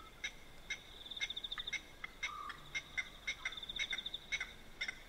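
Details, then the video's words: Blacksmith lapwings calling by a dam at night in Manyeleti Game Reserve, South Africa. Ringing anvil-like tinks are spaced irregularly over a hissy background, with a fast, thin pulsed trill and one short hum between them. "Blacksmith Lapwing Call & Sounds"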